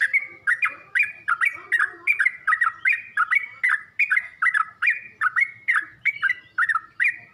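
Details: Yellow-vented bulbul chirping used as a masteran lure for birds learning song: regular bright notes, each a quick up-and-down slur, repeated a little over once per second.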